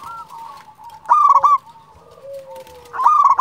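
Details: Local zebra dove song: a soft run of cooing notes, then a loud vibrant rolling phrase, a long gently falling tone, and another loud rolling phrase.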